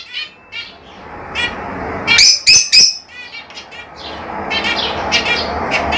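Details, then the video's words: Soft twittering chatter from lovebirds breaks into three loud, shrill, grating calls near the middle, then fades back to busy, faint chirping. "LoveBirds Sounds"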